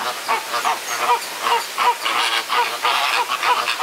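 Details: Fighting flamingos in a Guadeloupe botanical garden keep up a busy chatter of gabbling, goose-like honks, about three per second, from several birds at once.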